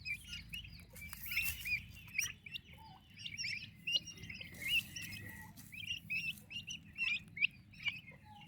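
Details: Active turkey chicks under their mother's care give a busy stream of high, thin cheeping notes, many quick chirps overlapping in a continuous chorus over a low hum, with a few brief broadband rustles.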